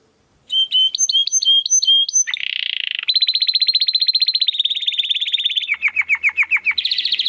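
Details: Domestic canary with crystal-voice song for training contest birds: looping whistled notes, a buzzy rasp, long rapid trills, then a few sharp downward chips and a final trill.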